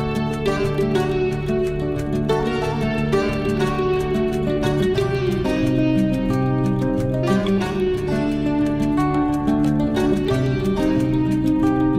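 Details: Plucked-string music plays throughout, with layered harmonic notes and no animal voices.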